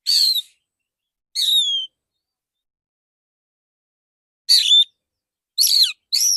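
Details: Male Oriental magpie-robin giving clear 'tembakan' song for bird therapy. Loud whistled phrases slide downward, spaced by pauses of one to three seconds, five phrases in all.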